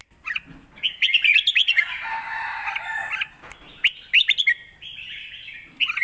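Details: Caged red-whiskered bulbul giving a 'lak wai' style master song for teaching young birds. Rapid chirped notes are followed by a drawn-out, slurred warble, then more quick sharp notes.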